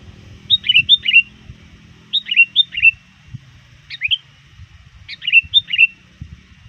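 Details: Trained sooty-headed bulbul, very active near dusk, calling rivals: four bursts of bright, bubbly two- to three-note whistled phrases, the bursts about a second and a half apart, over a faint low rumble.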